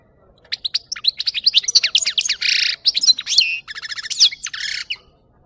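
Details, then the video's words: European goldfinch song meant for luring birds to capture: a fast, continuous run of liquid twittering notes mixed with harsh buzzy segments and rapid trills, lively and varied throughout. "Chardonneret qui chante"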